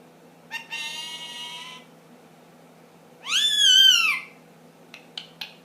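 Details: Ten-month-old pet ringneck parakeet producing funny noises: a steady, flat, nasal note held for over a second, then a louder arched squawk that swells and falls away, with a few soft clicks at the end.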